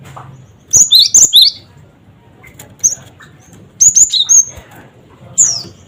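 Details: High, sharp 'cret cret wucit' phrases from a gelatik batu (cinereous tit) meant to stir other birds into calling: two quick doubled notes, a single chip, then a four-note burst and a final slurred note.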